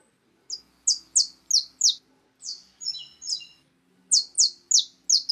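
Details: Wild birds at a feeder eating cracked corn. A lively run of high, steeply falling chirps, with a few buzzier, layered notes in the middle and a faint low hum underneath.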